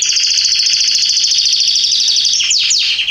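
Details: Garden canaries recorded in September 2020 keep up a continuous rapid rolling trill for over two seconds, closing with two sharp downward-sweeping whistles.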